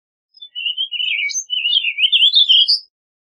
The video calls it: Warbling Vireo Song! Warbling Vireo Call!Warbling Vireo Sound - Vireo Gorjeador Canto